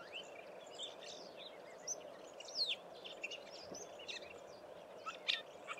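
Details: A lesser grey shrike, an Eastern Cape rarity, perched on a phone wire watching the ground for prey while murmuring a quiet, rambling subsong of scattered high squeaks and chatter, over a steady low hum.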